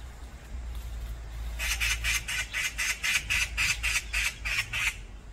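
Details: Brown-eared bulbuls fighting as a group, the whole hillside in an uproar: after a quiet start, harsh squawking notes repeat about four times a second in a steady series, with a low hum beneath.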